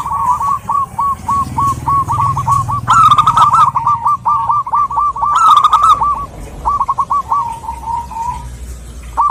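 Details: Female zebra dove, local perkutut, calling to a male: long, steady sequences of quick clipped coos broken by louder, fuller rolling phrases, all at one mid pitch.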